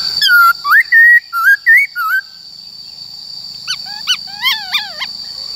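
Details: Black-throated laughingthrush singing in a forest-style voice, a recording used to train the voices of wild-caught and young birds: a run of clear whistled slurred notes, then arched, downslurred whistles after a pause, over a steady high whine.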